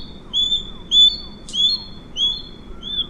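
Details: Osprey (Pandion haliaetus) recorded in the wild: a series of clear, high whistled notes with a slight upward inflection, about two per second, with one brief sharp click midway over a low background hiss.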